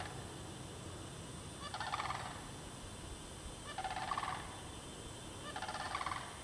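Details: In the bog at Derby Reach Park in March 2009, sandhill cranes linked to mating give three rolling, bugling rattles spaced about two seconds apart over steady low noise.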